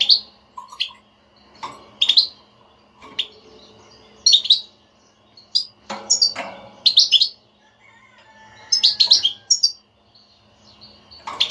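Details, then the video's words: European goldfinch giving a stimulating 'batbata' twitter, meant to prompt a silent goldfinch to sing: bursts of bright, high chirps in quick clusters, separated by short pauses, over a faint steady indoor hum. "حسونك لا يغرد أسمعه هاته البتبتة وشاهد النتيجة"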